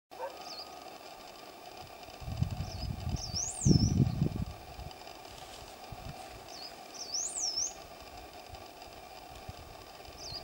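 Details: Rufous-backed Inca Finch, a rare, local Peruvian endemic, at Matara in northern Peru, gives high, thin wavering notes with a quick rise-and-fall phrase every few seconds, over low rumbling background noise.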